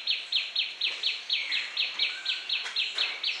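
Common Tailorbird giving a rapid series of sharp, high, downslurred chip notes, about four per second, with faint background noise.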